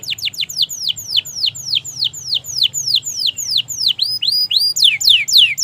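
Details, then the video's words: Canary song for prompting quiet canaries to sing: clear, loud downward-sweeping whistles repeated about three per second, varied near the end by upturned notes and a quicker burst of sweeps. "Masteran suara Burung Kenari Gacor Panjang Auto Nyaut Kenari Macet dan Paud"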